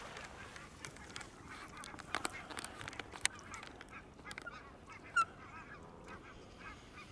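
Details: Canada geese in a flock feeding on green grass at the water's edge, camera left running among them; scattered, fairly faint honks and short clucks sound at irregular intervals over steady background noise.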